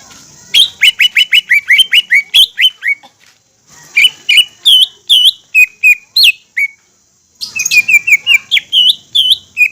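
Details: Green leafbird singing vigorously as a lure for other leafbirds: bursts of rapid whistled chips separated by brief silences, mixing sharp downslurs with looping high notes.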